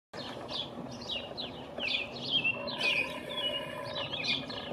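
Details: A male American robin sings from the top of a pine tree on 5/6/19, likely announcing his territory. Short whistled, carolling phrases rise and fall in quick succession with brief gaps, over a steady low outdoor hum.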